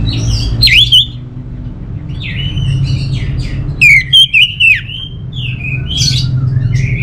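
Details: A kept orange-headed thrush from North Bali, Singaraja, delivers loud, varied whistled phrases with sharp swoops and clipped notes, separated by brief softer passages, over a constant low hum.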